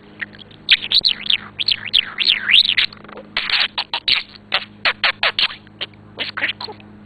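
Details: A male pet budgerigar, which talks and plays with a ball, gives warbling, swooping whistles, then a run of harsh, clipped chattering syllables like mimicked speech, over a low electrical hum.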